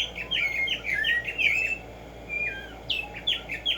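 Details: Tumba Yegua or Black-striped sparrow singing in the morning: a dense chain of bright slurred whistles in quick succession, a short lull, then more sharp upslurred notes.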